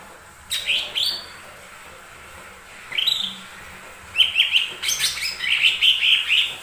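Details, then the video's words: Lesser green leafbird lure song for provoking other birds to sing. A couple of rising whistles and a pause give way to a rapid sequence of chirps and trilled notes. "Pancingan burung cucak ijo mini"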